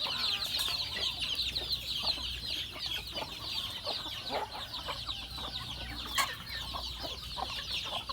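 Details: Chickens fed on a farm produce a busy chorus of high, rapid chirps from many birds at once, with lower clucking notes popping up irregularly and a sharp click near the end.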